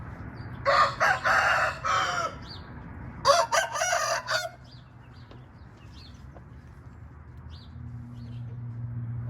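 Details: Two crows from a red junglefowl, each a rough, harmonic, broken series of notes lasting one to two seconds, about two seconds apart, followed by quieter background with faint low droning.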